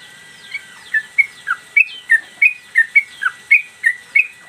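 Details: Sooty-headed bulbul recorded as a master for cage-bird training, singing actively while moving its tail: sharp whistled notes repeated about three times a second, high notes alternating with lower downslurs.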